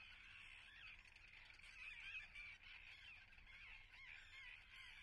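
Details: A nesting common tern colony at Atlit, Israel, 10 June 2010, gives a rapid, overlapping clamor of harsh calls. The din peaks briefly in the middle, then continues steadily.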